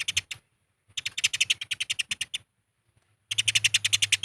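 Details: Eurasian tree sparrows fighting, recorded as a lure to provoke other birds into sounding off: three bursts of rapid, dry, sharp chirps in fast series, separated by short silences, over a faint low hum.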